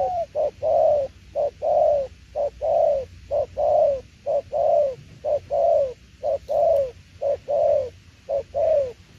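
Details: Spotted dove cooing in đồng tiểu liên nước fashion: a brisk, very regular series of paired coos, a clipped note then a longer falling one, roughly one pair per second throughout.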